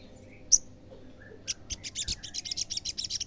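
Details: Olive-backed sunbird singing to provoke rival sunbirds into replying. One piercing high note, then a rapid, evenly repeated series of sharp high chips, about six per second, in a quiet background.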